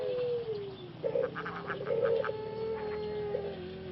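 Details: Caged male Pelung dove from Solo, Indonesia, whose voice was lost after six months of breeding and is now under special care; a long slowly falling coo broken by short bursts of rattling and clucks.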